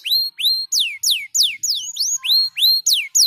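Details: Canary singing a series of loud, clear whistled notes, most sliding steeply downward and a few curving upward, delivered at roughly three per second with short gaps between them.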